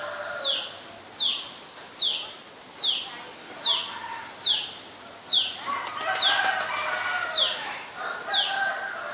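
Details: Adult Common Tailorbird in Ubon Ratchathani, Thailand, recorded 11 April 2022: sharp, high, downslurred notes repeated steadily about once every 0.8 seconds, eleven in all, over lower chattering of other birds that swells briefly midway.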